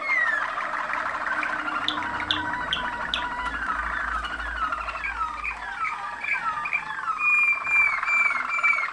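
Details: Champion-line Waterslager canary from Macedonia singing a varied song: quick rolling trills, a run of plunging slurred whistles, then a sustained high clear tone near the end.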